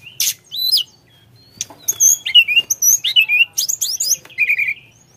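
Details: A Sunda forktail sings: scattered high chips, then a quick run of bright, downslurred whistles and a short buzzy trill.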